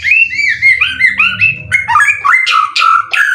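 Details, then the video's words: White-rumped shama, a caged contest bird with 12 wins, its song material full of cililin; a quick series of short rising whistled notes, then sharper chips and drawn-out clear whistles, over a low hum. "Burung Murai prestasian udh kondisi 90% materi full clilin siap turun Lg!"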